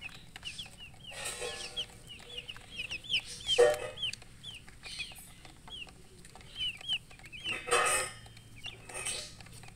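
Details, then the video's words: Baby chickens chirping: arched, high peeps in rapid runs, pausing and resuming, with occasional brief broadband rustling or scuffling noises between the runs. "Baby "Chicks Chirping" Sound"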